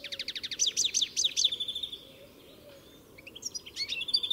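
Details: European goldfinch song opening with a quick series of rhythmic descending chirps, a brief lull, then renewed twittering and a sweet rising whistle.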